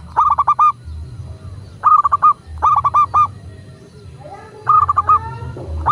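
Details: Local zebra dove cooing for a training recording that prompts doves to call: four clipped phrases, each of four or five fast, even bubbling notes, spaced about a second apart over a low background hum.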